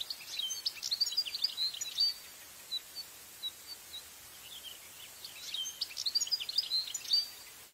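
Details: Wild, free-living European goldfinch singing in Italy, recorded with a Tascam parabolic microphone: two bursts of rapid, high, tinkling twittered notes, at the start and the end, with a few scattered chirps between, over a faint steady background hiss.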